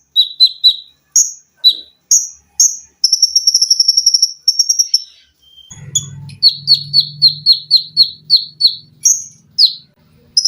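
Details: Lively olive-backed sunbird tutor song: shrill chips, a long rapid mechanical trill, then quick close-set shots of high notes, with a steady low hum in the second half.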